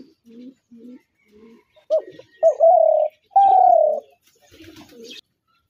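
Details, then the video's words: Spotted dove calling: three soft, low coos, then louder, longer hollow coos at a higher pitch, the last drawn out and slightly falling, followed by faint low murmurs. "তিলা ঘুঘুর আরজিনাল ডাক"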